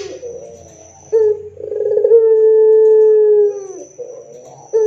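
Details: Barbary dove calling loudly, used as a lure to make other doves answer: faint low murmur, then a sudden rolled, burbling onset that settles into a long, steady, low hooting note of over two seconds, with a new call starting at the end.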